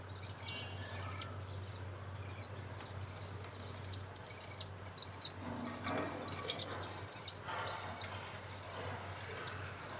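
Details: Budgerigar chick while a male feeds it: insistent repeated raspy high calls, about one every second, kept up evenly throughout over a quiet background.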